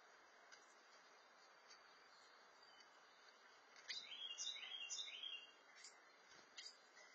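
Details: On 13 July 2021 at 7:41 PM, a male Carolina wren feeding nestlings while two curious juvenile wrens arrive hoping for food: a quick, second-long burst of high, thin chirps and chatter, plus scattered single chips over steady hiss.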